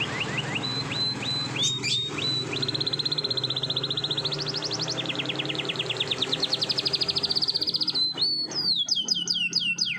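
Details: Canary in the morning, long rolling song: clipped upslurred notes lead into extended fast trills that shift pitch in steps, ending with quick falling whistled sweeps.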